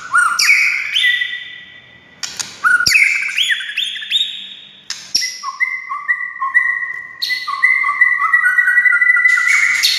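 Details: Song of a white-rumped shama, used to goad other shamas into singing: rising whistled phrases, then a long run of alternating high and low sustained notes repeated rapidly, ending with a bright, busy flourish.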